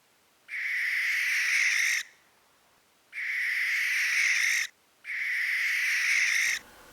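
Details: Barn owl in the UK gives three long, eerie, harsh hissing screeches, each about one and a half seconds, spaced roughly a second apart.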